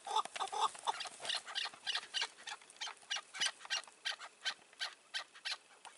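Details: Chukar partridge calls from a May 2024 hunt with a caged decoy and a wild bird; a series of harsh, raspy notes repeated about three times a second, louder at the start, then fading into a steady pulsing rhythm.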